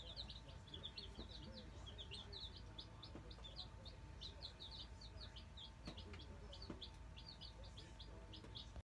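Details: Nine newly arrived Black Australorp chicks settling into their brooder, peeping constantly with short, high, clear notes in quick overlapping bursts over a steady low hum.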